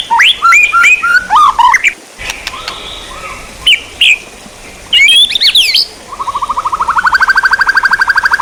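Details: White-rumped shama as songbird training material: clear, melodious whistled phrases with quick upslurs and loops, some buzzy notes, then a long, steady series of rapid, rising pulsed notes.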